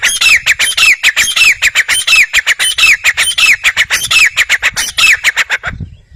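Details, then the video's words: A grey francolin gives a long, loud volley of shrill, rasping notes. They come in quick succession, with curved whistled inflections recurring in a steady rhythm, then stop abruptly near the end, leaving quiet. "teeter voice | teeter boli | teeter sound"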